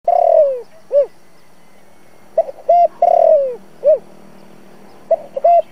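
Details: Spotted dove decoy cooing, played through a trap speaker to lure wild doves in the 'giọng thổ' style: a loud drawn-out falling coo, then short rounded hooted notes, the phrase repeating about every three seconds against a quiet background.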